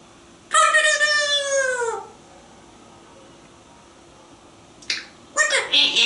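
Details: African grey parrot in a screen-porch birdhouse in Texas, mimicking words while talking to birds and squirrels; a long, drawn-out harmonic call gliding slightly downward, then silence and a few sharp, clicky speech-like bursts.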